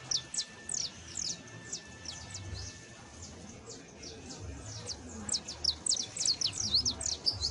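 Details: Saffron finch, Sicalis flaveola, singing as a model for a criollo canary: high chips in uneven runs, building to a dense, fast burst of sharp descending notes near the end.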